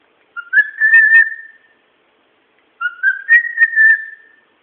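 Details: Pet bird whistling indoors, giving two matching phrases separated by silence, each opening with a low note that rises into a long wavering clear whistle lasting over a second; nothing else audible.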